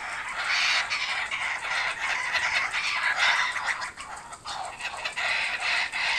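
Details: Returning kookaburras at an Australian home; a continuous noisy chorus of harsh cackles and hoots from more than one bird, uneven in rhythm, with brief lulls.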